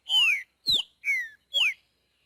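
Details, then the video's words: Green-winged saltator in the wild singing the boiadeiro song: four loud, clear whistles in quick succession, each a slurred downward glide, with a sharp upward sweep beneath the second and fourth. "TRINCA FERRO BOIADEIRO CANTANDO NA NATUREZA"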